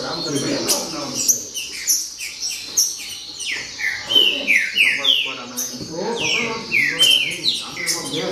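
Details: Green-winged saltator song in the baderna style: loud, clear whistled notes that slide downward, repeated rapidly and overlapping as though from several birds, with a faint murmur of low voices underneath.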